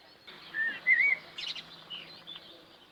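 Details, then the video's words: Sparrow chirping in a natural setting: a few short whistled chirps, one rising-falling note near the middle, then scattered higher twittering notes over faint background noise. "صوت زقزقة العصافير"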